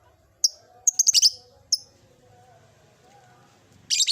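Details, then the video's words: Caged lovebird starting to ngekek in an old cage: a single high chirp, a quick stuttering cluster of four or five shrill notes, another chirp, then a loud harsh burst at the close. "Suara burung Lovebird "Kicauan Di Sangakar Tua""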